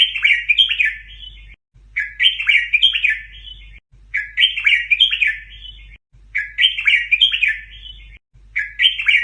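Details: Red-whiskered bulbul kept in a cage, its song used to teach chicks, doubled style; the same lively warbled phrase of chirpy, rising and falling notes repeats about every two seconds with short silent gaps.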